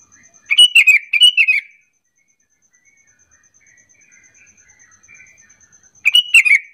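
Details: Sooty-headed bulbul calling as a lure so other bulbuls join in and answer; a loud doubled run of liquid, chirpy notes, a long pause with faint distant chirps, then another bubbly phrase, with a thin constant whine behind.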